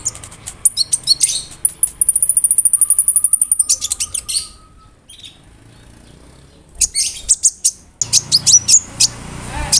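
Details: Konin bird singing full imitations, including cricket sounds, to tutor songbirds; rapid regular ticking chirps, a long level high whistle, then a pause before renewed sharp high notes.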